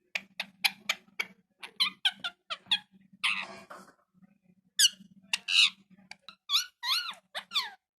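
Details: Parrot talking indoors: rapid clicks and squeaky syllables, a brief raspy burst, then more warbled, bending chirps toward the end, over a faint steady hum.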